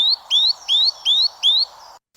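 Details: Male great tit dawn song sung near the nest box: five bright, rising whistled notes, each with a quick higher lead-in, repeated almost three times a second over a faint low hum.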